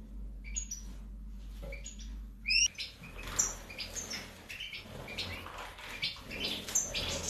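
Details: Goldfinch, subspecies major, 2019 recording: clear high whistled notes with short rising sweeps in the first seconds, then a busier stretch of twittering and chattering phrases against a noisy background.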